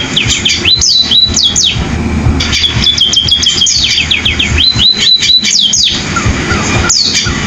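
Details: Canary-like sparrow song: bursts of bright, rapidly repeated up-and-down whistles, then a sustained high note, then more quick trilled phrases, with steady low background noise throughout.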